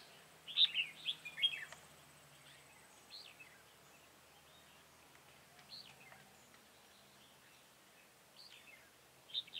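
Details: Red-whiskered bulbul singing as a decoy during bird trapping on 24 September 2018: a few loud chirpy phrases early on, then sparse short down-slurred whistled notes spaced several seconds apart over a hushed outdoor background.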